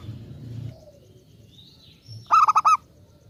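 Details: Zebra dove song used as a lure to make other doves sing back: after quiet low rumble, one loud burst of four quick pulsed coo notes near the end.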